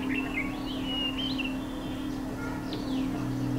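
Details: Male Chestnut-bellied Rock Thrush giving thin, whistled, warbling phrases that rise and fall in pitch. Several come in quick succession over a steady low hum and a noisy background.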